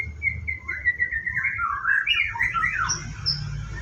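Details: White-rumped shama at a bird farm during its morning routine before bathing, giving a varied whistled song of slurred phrases around the middle range, rising and falling, over a low steady hum.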